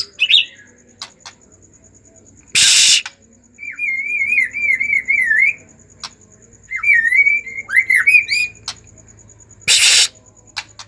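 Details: White-rumped shama in agitated song to coax quiet shamas into singing: wavering whistled phrases, sometimes falling in pitch, between two loud harsh bursts.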